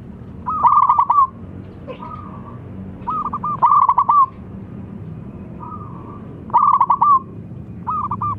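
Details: Zebra dove of local Indonesian stock, a loud caller used to lure other doves: rolling trilled coo phrases repeated roughly every three seconds, alternating with softer single coos over a low steady hum.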